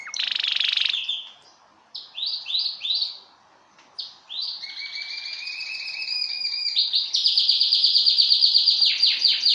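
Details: Canary singing for mating: a varied high song with a buzzy burst, a run of quick descending slurred notes, then long rolling trills building in loudness and holding steady to the end.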